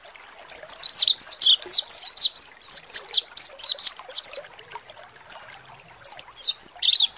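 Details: Mountain white-eye (pleci monty) lure song used to make birds sing; long bursts of rapid, high, downslurred whistled chirps, roughly five per second, pausing briefly before a shorter closing series.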